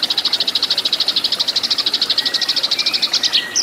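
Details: Eurasian tree sparrow fighting song, used as a master recording for training cage birds: a fast, steady chatter of high, ringing notes, about three per second-fraction, running without pause, ending with a few sharper chirps.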